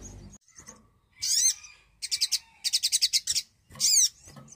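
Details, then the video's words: Lively Javan cochoa song for prompting birds that have stopped singing: a loud buzzy sweeping note, then rapid series of short raspy pulses, and another sweeping harsh note, over a faint low rumble. "sogon gacor pancingan pintar burung bahan & macet bunyi"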